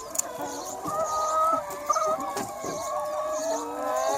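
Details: A large free-range flock of chickens on a sunny spring day, with dense, continuous clucking and short cackles from several hens layered over one another.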